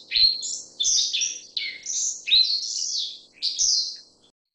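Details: Black-faced bunting giving a few high chirping phrases, each a short bright burst with a slurred drop. There are roughly five bursts in under five seconds, and a faint low hum runs underneath.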